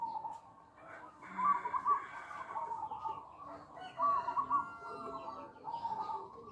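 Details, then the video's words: Zebra dove calling to lure other doves: two bursts of rapid, rolling, trilled coos, one early and one midway, then a fainter coo at the end, over a murmur of other birds and background noise. "suara pancingan 100% langsung nyambung"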